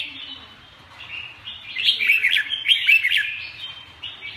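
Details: Red-whiskered bulbul with a continuous twittering warble that swells mid-clip into loud, quick, slurred notes, then fades back to soft chatter over a faint low hum.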